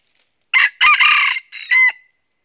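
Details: A red junglefowl crows once at a trap site in northern Vietnam: a brisk, harsh cock-a-doodle in four clipped syllables lasting about a second and a half, ending abruptly on a short, strained note.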